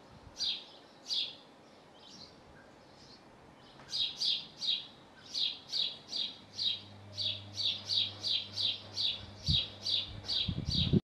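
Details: In Hull, UK, a male house sparrow calls from the roof near his nest: a few spaced chirps, a pause, then a long even series of loud chirps about two per second, low hum and a closing clatter.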